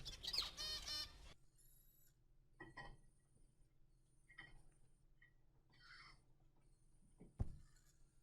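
Zebra finch song: a loud, nasal, buzzy opening note, then a quick, faint run of distinct chirps, clicks and thin high notes over a low room hum.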